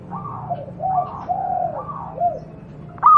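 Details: Local wild Javanese zebra dove, recorded as a training master for other doves: soft, drawn-out, wavering coos rise and fall one after another, ending in a sudden sharp, louder note.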